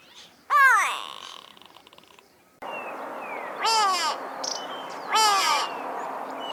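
Three loud, nasal, drawn-out calls from a Grey Go-away-bird, each sliding downward like a bleating 'go-away', spaced a couple of seconds apart over a faint hiss.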